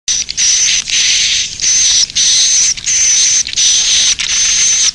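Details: Edible-nest swiftlet roosting call: dense, raspy buzzing bursts about half a second long, each with a thin steady high whistle along its top, repeated in a fast, fairly even series with brief gaps.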